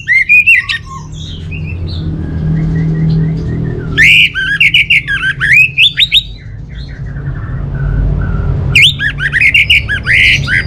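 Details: Orange-headed thrush from Bali in a bird-keeping setting: bursts of rapid, varied whistled and chattering phrases with sharp rising and falling notes, separated by quieter pauses over a constant low hum.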